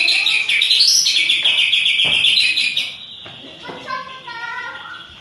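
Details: Loud, harsh white-rumped shama song in rolling and rapid-fire styles, given when lured by a rival: a dense, rough stream of high notes for three seconds, followed by quieter steady tones in the background.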